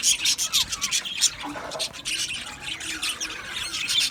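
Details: Colony of male budgerigars kept in an aviary, 8 December 2025, producing rapid high chirps and squawky chatter, with sliding whistled notes in the first seconds and overlapping birds throughout.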